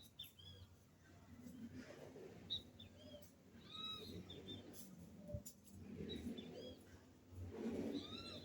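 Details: Great kiskadee calling from a backyard tree: arched, slurred notes repeated at irregular intervals over a steady low background hum.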